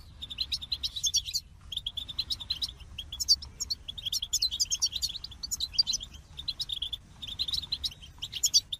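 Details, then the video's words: Goldfinch singing a long run of quick, high chirps and twitters in phrases a second or two long, separated by short gaps, with sparkling upper notes scattered through. "The Captivating Call of Goldfinches"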